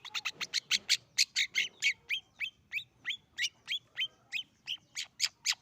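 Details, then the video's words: Young long-tailed shrike just past the fledgling stage, learning to sing, its song still unsettled and somewhat rough: loud harsh, raspy notes repeated steadily about one and a half per second, each a broad scratchy burst, in a quiet background. "Cendet Pastol Belajar Bunyi - Suara burung Cendet Lepas Trotol"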